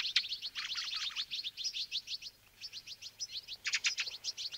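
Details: Fieldfare (Turdus pilaris) calling: dense, overlapping high chirps and chattering notes run almost continuously, with a brief pause midway, over a faint background hiss.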